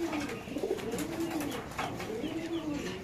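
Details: Rare-coloured female racer pigeon in a cage at a pigeon market in Khilgaon, Dhaka, expected to lay an egg today: soft low wavering coos rising and falling in pitch, with people talking and market clatter.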